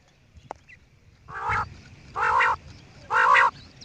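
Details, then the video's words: A single click, then three harsh, nasal, croaking quail calls, evenly spaced and rising in loudness, over low background hiss. "New and nice sound of quail"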